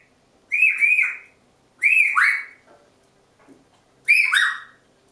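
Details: Winding-down noises from two pet African grey parrots sitting on top of a kitchen door a little before bedtime: three harsh, buzzy whistled calls, each bending downward, spaced about one and a half seconds apart indoors.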